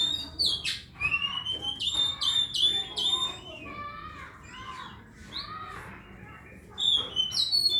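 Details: Oriental magpie-robin singing: loud, clear whistled phrases and rich warbles, some notes sliding upward, delivered in bursts with short pauses between; a faint murmur of voices in the background.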